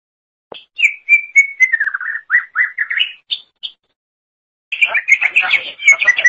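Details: Greater green leafbird (cucak ijo) singing actively, recorded as a tutor for training songbirds: a run of clear whistled notes that slur downward, then short rising phrases, a pause, and a denser burst of warbling chirps.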